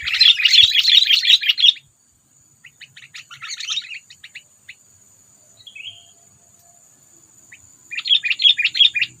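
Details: Bubbly, buzzy chattering of a sooty-headed bulbul, a call used when trapping birds to provoke predators; a loud opening burst, scattered softer notes mid-way, then another dense burst, with a steady high whine throughout.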